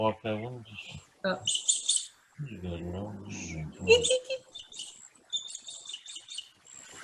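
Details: Adult Swallow-tailed Kite giving its alarm call, a repeated, harsh, high-pitched call in quick bursts, harsher than usual, meaning the kite was upset; a man talks over the start.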